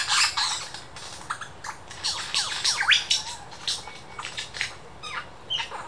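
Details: Superb lyrebird at the Dandenong Ranges Botanic Gardens mimicking local birds, laser gun and camera shutter sounds: rapid run of sharp downward-sweeping zaps and bright chirps, loud then fading, varied and irregular.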